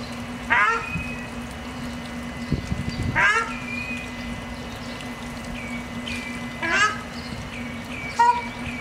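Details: Ruddy shelduck with ducklings at Barneveld, Netherlands, giving four short, nasal, goose-like honks spaced two to three seconds apart, over a steady mechanical hum and a few low knocks.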